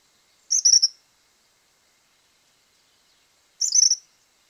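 Tropical Kingbird gives two high, sputtering twitters, each about half a second long with a slightly falling, stuttered finish, spaced about three seconds apart against silence.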